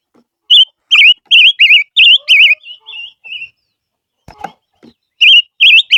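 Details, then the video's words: Barbet lure song of loud up-and-down whistled notes repeated about twice per second, trailing into softer flat notes, a brief knock, then the wavy phrase resumes. "Chim ngũ sắc mồi hót hay// chim ngũ sắc hót kêu mồi chuẩn"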